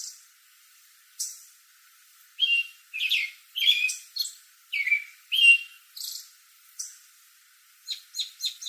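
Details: American robin in a backyard tree at evening, exchanging calls with other robins: a bout of whistled caroling phrases, then a quick series of high thin notes near the end.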